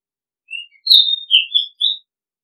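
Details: Oriental magpie-robin (Thai nok kangkhen ban) song phrase, a looped decoy recording: a thin opening whistle, then a bright, loud whistle sliding downward, warbled lower notes and a final rising whistle, all within about a second and a half, in a silent background.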